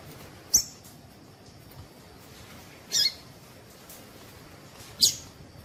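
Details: Female Double-collared seedeater calling to stir males to sing: three thin, high, clipped notes spread over about five seconds, separated by near silence and low hiss.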